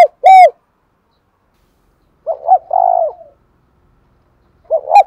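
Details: Spotted dove kept as a cage bird, cooing in the deep 'giọng đồng thổ' style: a loud opening note, then about a second later a two-part stutter and a long drawn, slightly falling coo, with a third phrase starting at the end.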